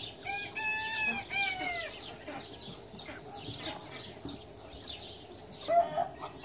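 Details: Friendly Japanese Bantam rooster delivers a crow of roughly a second and a half near the start, its notes sliding gently downward, followed by scattered chirping of other birds and a brief squeak near the end.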